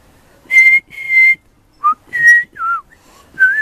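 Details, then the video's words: Baby pied butcherbird singing very high: pure whistled notes held steady, a short lower note, then a falling slur and a rising whistle at the end, loud and clean. "Baby Pied Butcherbird singing very high pitch"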